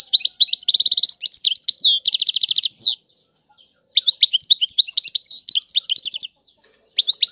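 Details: European goldfinch singing in the style locally called tiwawati, fast liquid twittering with rapid trills and buzzy repeated notes in bursts, pausing about a second before resuming.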